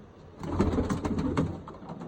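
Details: Pigeons kept at a farm with chicks: low, throaty cooing murmurs overlap for about a second, mixed with soft clicking and rustling from the birds.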